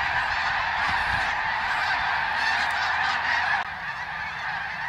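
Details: Hundreds of thousands of greater snow geese migrate over Ottawa, Canada, in fall 2021. A roaring chorus of overlapping honks fills most of the recording, then drops slightly in loudness near the end.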